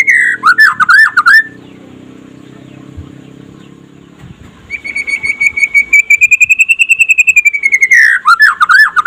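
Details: White-rumped shama trotol song during the day, a master recording for making other shamas sing: swooping slurred whistles, a quiet stretch with low hum, then a long, fast, steady trill of ringing notes and more swooping phrases.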